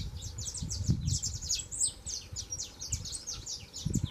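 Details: Young saffron finch singing persistently: continuous cascade of high, clipped chirps and slurred twitters, fairly steady in loudness, over noticeable low-frequency background rumble and a few dull knocks.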